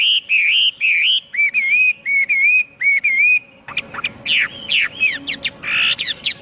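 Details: Chinese hwamei song opens with a series of repeated, evenly spaced wavering whistles, then breaks into quicker, harsher, sweeping notes. A faint low hum runs through.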